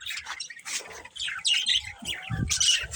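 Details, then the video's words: Chirping from a budgerigar breeding pair: choppy bursts of grating, high squawky notes in quick succession, with soft knocking and bumping noises underneath. "Cute Budgies Chirping Sounds"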